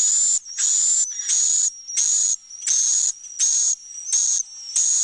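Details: Roosting-room swiftlet sound, imitating a flock from young birds to adults so swiftlets feel safe: regular high, buzzy chirp bursts about twice per second, each lasting under half a second, threaded by a continuous thin high whistle.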